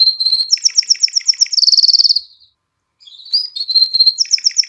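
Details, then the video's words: Canary singing to get females ready to mate and encourage chicks to sing: a whistle, then crisp high staccato trills and a dense buzzy roll, a short silence, and the whistled and trilled phrase again. "تغريد كناري نار لتهييج الإناث على التزاوج وتحفيز الفراخ على التغريد"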